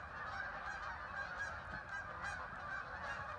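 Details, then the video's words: Thousands of ducks arriving along the Hockanum River in Vernon, Connecticut, flying in and landing on the water: a dense, unbroken chorus of overlapping nasal honking calls, steady in loudness with no single voice standing out. "thousands of ducks arrived making a strange noise"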